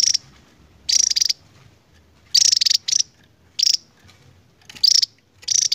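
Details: A Javan tesia, an endemic of Java, sings a long song of short, very high, rapid twittering bursts, about one every second, with quiet pauses between and no other sounds.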